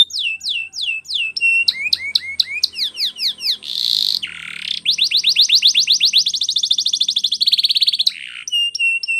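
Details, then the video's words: Training song of a canary, Spanish Timbrado style: repeated drooping whistled notes, a harsh buzzy burst, then a long accelerating roll of rapid notes and a final short trill. "Canary singing Training Video"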